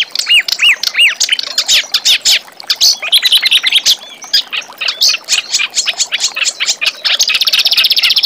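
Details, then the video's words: Reed warbler song used as master recording for training young magpie-robins: a fast, dense jumble of harsh chattering notes, rising-falling whistled arcs and dry buzzy trills, ending in a sustained rapid rattling buzz. "Suara Kerak Basi Untuk Masteran Murai Bahan"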